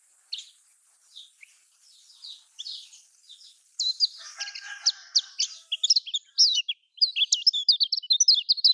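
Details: Lemon-bellied white-eye song in the Lombok style, played so caged birds start singing: soft scattered chirps at first, then a loud, fast, high chattering burst dominating the second half.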